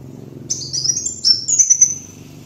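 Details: Sunbird known locally as kolibri wulung, used as a lure master: one high-pitched warbling phrase of fast slurred twitters lasting about two seconds, with a faint low background hum.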